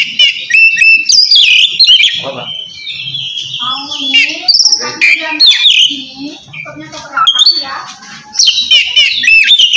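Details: Loud ngeplong singing by an Oriental magpie-robin calling out to a rival: rapid chattering phrases, harsh buzzes and clear whistles in continuous bursts, softer passage near seven seconds, low murmur underneath.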